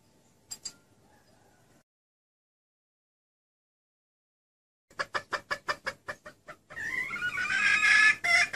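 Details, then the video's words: Red junglefowl hen lure call, used to attract males: about ten quick, harsh clucks in a row, then a loud rising, drawn-out cackle; two soft clicks come before a long silence. "SEUARA PIKAT AYAM HUTAN BETINA"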